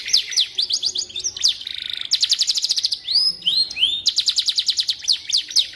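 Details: Canary singing, used as a tutor song for training white-rumped shamas: a fast continuous high-pitched song of rapid trills and repeated chips, with sweeping upslurred whistles in the middle, almost without pause.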